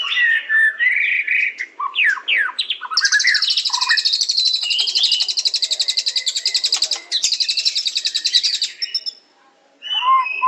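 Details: White-rumped shama singing: several swooping whistled notes first, then a long high rapid trill of about six seconds, a brief pause and further whistles.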